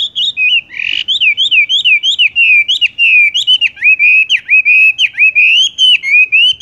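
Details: ["Horsfield's bush lark (wambie) in rolling song: a steady chain of short whistled notes that dip and rise, repeated fast and almost without pause throughout."]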